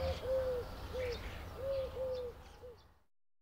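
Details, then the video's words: Eurasian collared dove song from a garden bird recording: hollow, breathy coos near one steady low pitch, a rhythmic phrase of about five or six notes over three seconds, with faint background noise. "garden bird songs and calls"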